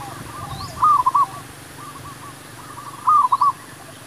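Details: Zebra dove lure song for trapping wild doves: two clear bursts of rapid, rolling coos about two seconds apart, with fainter doves cooing softly between them.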